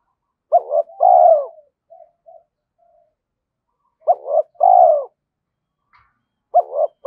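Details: Decoy spotted dove in daily practice, calling to provoke wild males: three phrases of a quick double note and a loud falling coo, with tiny soft notes after the first and the third phrase just beginning.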